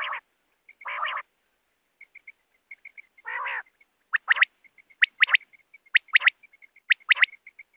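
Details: Quail in the wild, recorded for net hunting. Three coarse nasal growls are followed by four emphatic three-note phrases about a second apart, with a steady trickle of quiet notes behind them.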